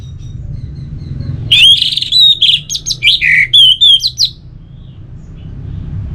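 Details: A series of fast, varied whistles and chirps from an orange-headed thrush, about ten sharp notes in under three seconds, some rising and some dropping, over a faint low background hum.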